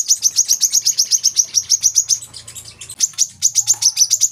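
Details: Olive-backed sunbird, local name kolibri kelapa, singing a rapid run of high, sharp chirps about four per second. A short pause breaks the run midway before the chirping resumes, over a faint low hum.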